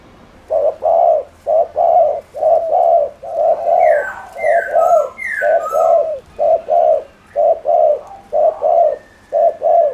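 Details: Spotted dove cooing to provoke other doves into calling: steady, low, hollow coos about one per second throughout, with a few brief higher whistled notes from another bird in the middle.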